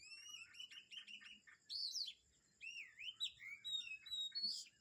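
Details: Morning birdsong at Kamphaeng Saen: a rapid series of short chirps, then looping whistled phrases that swoop up and down from several birds, over a steady thin high-pitched hum.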